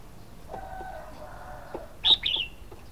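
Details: Red-whiskered bulbul gives one short, bright warbled phrase of quick high notes near the end, after a stretch of low, steady tonal sounds in the background.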